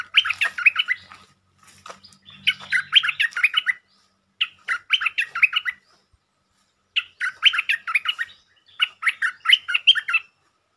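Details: Stripe-throated bulbul luring song used to provoke a territorial resident bird: five bubbly, chattering phrases about a second long each, separated by short pauses, with quiet low rumbling early on.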